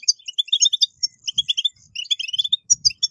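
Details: Goldfinch song played to stimulate caged goldfinches into singing, with fast, liquid twitters and sharp high tweets packed closely together, plus a few faint low thumps in the background.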